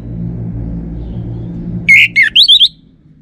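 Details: Lure song of an orange-headed thrush used to check whether a caged bird is male. A brief cluster of five rising and falling whistles after a stretch of low engine-like rumble.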